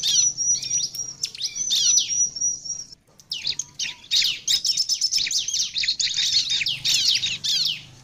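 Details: Bar-winged prinia lure song for attracting other prinias: a long thin whistle mixed with chirps, a short silence, then rapid stuttering high notes repeated quickly, over a soft low hum.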